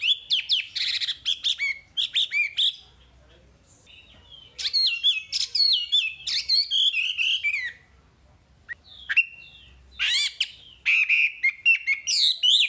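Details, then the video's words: Wambi song used as a masteran tutor recording: bursts of bright, varied chirps and twittering phrases rising and falling quickly, broken by short pauses of silence, with no other clear sounds. "Masteran Wambi paling istimewa full materi"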